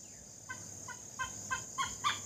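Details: Great hornbill in Assam (Assamese dhanesh sorai): after a quiet start, five gruff, croaking barks come roughly every third of a second, each louder than the last, with the final one sharpest.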